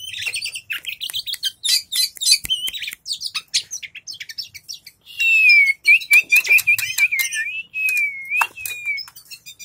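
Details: White-rumped shama, a kept bird fanning its tail, giving a fast medley of chirps, clicks and bright whistles, then a long wavering whistled phrase before more quick notes.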